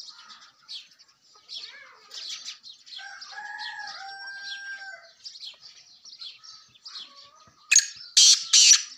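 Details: Sindhi black francolin (kala tetar) call played to draw francolins in: three loud, harsh, grating notes in quick succession at the end, after small birds chirping and a few drawn-out whistled notes.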